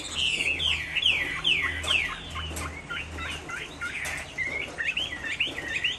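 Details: Chinese hwamei in a cage, Hai Phong, Vietnam, rainy afternoon, delivering sharp descending whistles followed by choppy twisting phrases, over a low steady hum.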